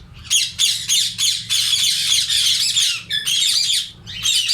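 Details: A colony of Indian ringneck parakeets in summer keeps up harsh, shrill squawks and screeches in overlapping bursts, with a faint low hum underneath.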